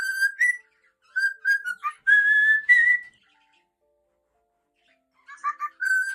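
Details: Singing cockatiel giving a run of short whistled notes, then longer held and rising whistles, a pause of about two seconds, then a final burst of clipped whistles and a steady tone.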